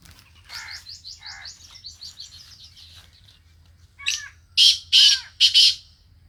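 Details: Sindhi black francolin: quiet rapid twittering at first, then a loud rasping call of one note followed by three harsh notes, with a low background hum.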